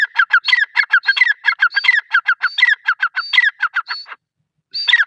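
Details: Female grey francolin giving rapid, harsh, repeated notes, about five per second, in a steady run that stops after four seconds and then restarts, with laughter nearby.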